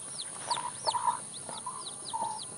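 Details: Chicken in the countryside in the morning, giving short low clucks in small bursts, about five within under three seconds, over quick high chirps of small birds and a steady insect hiss.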